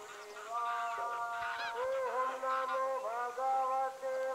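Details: Greylag goose giving loud, nasal honks that overlap in a busy chorus, some notes dipping and rising in pitch, with brief gaps between bursts of calling.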